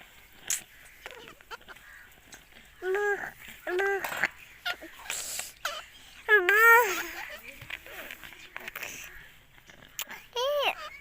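A ringneck parakeet gives short, nasal, harmonic calls in bursts, some bending up and down almost like chattered speech, with scattered clicks and background noise between.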